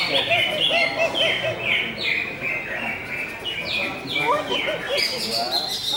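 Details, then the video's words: Greater green leafbird song of quick descending whistled slurs, repeated more than twice a second, over a steady background of softer chatter. "CUCAK HIJAU BUSSER"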